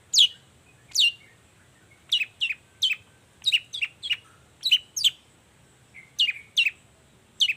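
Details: Long-tailed shrike singing in the morning, a lure to prompt other shrikes to answer: varied sharp descending chirps, some paired in quick doublets, delivered in an uneven lively sequence.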